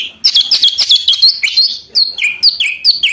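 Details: Song of a lesser green leafbird, used to stir other birds to sing and for tutoring: a dense run of quick chirped whistles, then clear downslurred whistled notes repeated roughly every half second.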